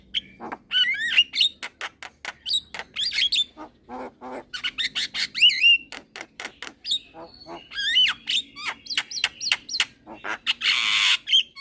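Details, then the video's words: Young Javan myna singing energetically while bobbing its head: a dense, varied stream of harsh clicks, rasps and wavering whistled phrases, ending in a loud hissing burst. "Burung Jalak Kebo Muda Gacor Manggut - Manggut"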